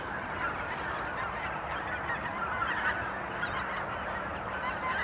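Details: Greater white-fronted geese, a large flock, waking on a frozen morning at the Blankaart keep up a dense, continuous chorus of high, yelping honks that overlap into a steady babble with no pauses.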